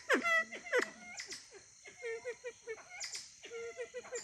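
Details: Siamese fireback calls: loud, rasping notes falling steeply at the start, followed by softer quick clucking notes in uneven runs, then renewed harsh downward-sliding calls.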